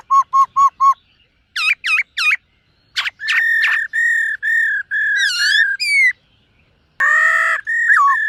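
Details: Morning voice training of a silver-eared laughingthrush that sings while displaying: four quick even whistles, three looping notes, sharp clicks, then long level whistled phrases with wavering slurs, ending in a rich harsh note and a falling whistle.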